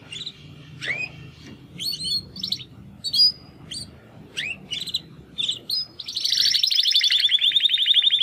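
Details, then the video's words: Young male Timbrado canaries, two brothers born in the second breeding of 2020, attempting their first songs after their first molt; scattered short rising chirps and notes, ending in a long loud buzzy trill. "Canary training song"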